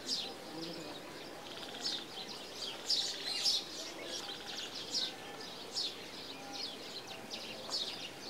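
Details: Green Bee-eater in India giving a series of gentle liquid trills: high, thin, rapidly repeated notes in short bursts every second or so, with a soft background hiss.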